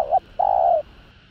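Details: Spotted dove (cu gáy) call used to provoke rival males: a short low coo followed by a longer, steady hooted note, slightly falling at the end.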